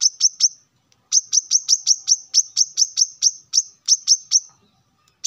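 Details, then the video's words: Piercing high chips from a male plain-throated sunbird in the morning, challenging rivals: three quick notes, a short pause, then a long brisk series of about fourteen evenly spaced sharp notes. "kolibri kelapa manapun pasti ikut nyaut dengar suara ini"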